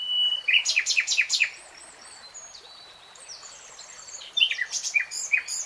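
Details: Nightingale phrase of several sharp, downward-swept notes in quick succession, a quiet gap with faint distant birds, then another string of rapid clipped notes.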